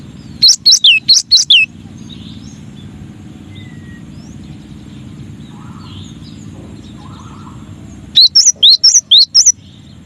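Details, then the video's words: Masteran song of a cinereous tit: crisp high whistled notes, each sharply falling, delivered in two short bursts of about six, with a long quiet gap between them. "Suara Masteran Burung Gelatik Batu Atau Gelatik Wingko 9 Variasi"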